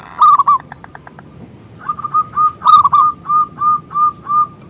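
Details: Big-voiced local zebra dove singing as a lure for rival doves: a short warble and clicks, then a measured series of clear, rounded coos repeated about twice a second.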